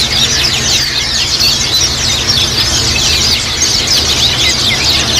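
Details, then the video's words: Flock of Japanese white-eyes chattering, used as therapy to make other white-eyes sing: a dense, continuous chorus of overlapping high, quick twittering notes with no pauses, over a low steady rumble. "terapi pleci ombyokan agar cepat ngiriwik"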